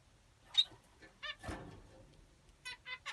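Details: Finch calls: a few sharp, ringing nasal notes, with a cluster of three in the last half-second, and a soft rustle in between against a quiet background.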